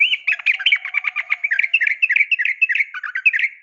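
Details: Calling female yellow-vented bulbul summoning a male, for training caged birds: unbroken, rapid, gurgling chatter of bright chirps rising and falling throughout.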